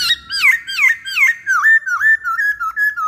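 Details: Masked laughingthrush, used as a stimulus song to draw out other birds. Loud, clear whistled notes that slur down and then up, repeated about three times a second. The phrases drift into a steadier run of shorter warbled whistles.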